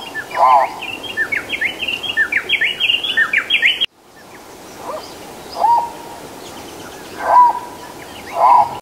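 Livingstone's turaco gives loud, low, hoarse notes spaced a second or two apart, while smaller birds chirp high and busily early on.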